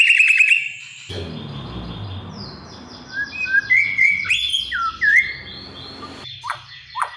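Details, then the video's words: Oriental magpie-robin (murai batu) song used as a training and lure recording to get a young bird singing fully; clear whistled slurred notes and rising sweeps over a busy backdrop of other overlapping bird voices. "PANCINGAN & MASTERAN,,MURAI BATU BAHAN AGAR JADI BUNYI GACOR PLONG"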